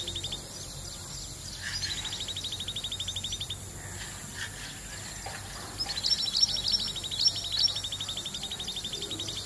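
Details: Common babbler in open scrub country, flicking its tail while calling, gives fast, even trills of high notes in two bursts, brighter squeaky notes over the second, against a steady high hiss.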